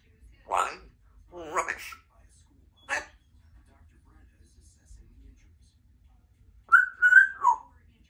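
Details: A 2-year-old female Congo African grey parrot, a pet kept in a country home, talking: three short speech-like voiced bursts in the first three seconds, a quiet pause, then a longer warbling, whistle-toned phrase near the end.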